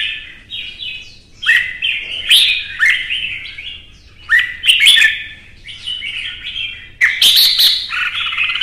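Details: Red-whiskered bulbul from Vietnam singing in a fiery provoked contest. Repeated rich, fluty warbled phrases, each a loud burst followed by a softer trailing run, come roughly every couple of seconds.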